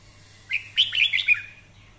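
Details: Fiery training song of a red-whiskered bulbul, one brisk phrase of about five clear, sharply slurred whistled notes lasting under a second, over a steady low background hum.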